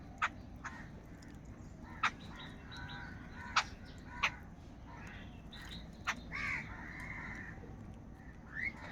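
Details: Huge gathering of crows fighting over food: sharp, abrupt call notes at irregular intervals mixed with softer, longer raspy caws from birds further off, over a constant low rumble.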